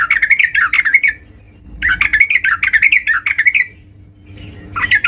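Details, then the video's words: Yellow-vented bulbul singing vigorously at home: two bouts of quick, bubbly, warbling chirps that rise and fall, separated by a short pause, over a faint steady indoor hum. "terucukan gacor"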